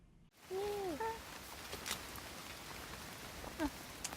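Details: North Island robin on Tiritiri Matangi Island bird sanctuary, New Zealand, gives a clear, sweet whistle that arches up then slides down, followed by a few short, sharp notes, over steady rain-like hiss.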